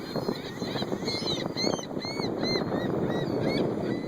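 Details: Several wild seagulls being fed by hand give short, arched mewing cries about every half second, over a steady rumble of engine and water noise.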